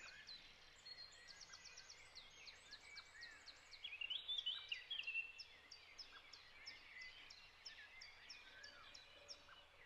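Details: Sharp, high chinking anxiety calls from a Common Blackbird that saw the farm cat, repeated about every half second, within an early-May dawn chorus with chiffchaffs and other birds, with a brief warbled phrase midway.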